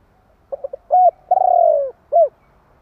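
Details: Spotted dove calling to provoke other doves: three short soft notes, then a longer coo and a long stuttering descending coo, ending with a single short coo, low and mellow.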